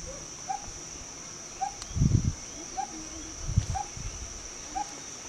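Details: Single coppersmith barbet (pokpok) repeating a hollow, tonk-like note about once a second, evenly paced, with brief low thuds and rustling behind it.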